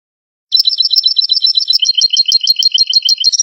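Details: European goldfinch song played to lure goldfinches for trapping: it begins abruptly with brisk, liquid twittering, followed by a steady rhythm of repeated chirping notes, about three per second.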